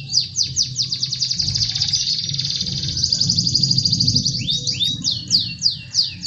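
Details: Canary singing a dense, rapid buzzy trill that later breaks into separate falling whistled slurs, over a noticeable low-pitched background sound, offered to stimulate canaries that seldom sing.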